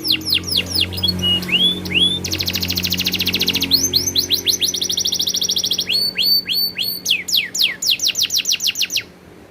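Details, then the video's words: Canary rolling song alternating downward whistled sweeps, a dense buzzing high trill, rapid repeated notes and clipped paired phrases, loud and continuous; faint low hum in the background. "suara burung kenari ngerolll super gacor"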